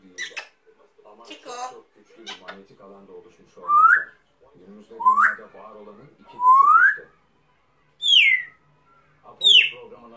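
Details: Talking African grey parrot indoors gives five loud whistled notes, some sweeping upward and others falling, roughly every one and a half seconds, after several short chattering speech-like sounds.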